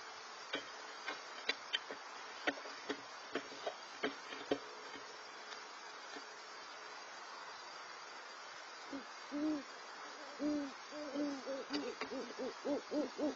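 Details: A great horned owl, one of two (thought to be a mating pair) at an owl pad in San Diego on 18 January 2022, gives a run of low, soft, quickly repeated hooting notes after several seconds of sharp clicks and taps against faint hiss.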